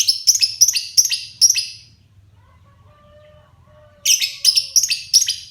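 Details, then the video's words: Pet lovebird, a child's favourite bird, beginning to sing in full voice, giving sharp shrill chirps in a rapid run, a short quiet gap, then another quick series of harsh high notes over a low hum. "Burung LB mulai gacor"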